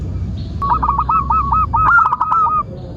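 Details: One extended zebra dove phrase from a lure recording for local doves: a quick run of bubbling, evenly spaced coo notes that swell into a louder, slightly higher burst before fading, over low background noise.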